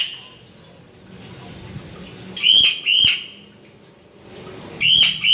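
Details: Crow uttering two pairs of loud, ringing whistled notes a couple of seconds apart, with quiet background between the pairs.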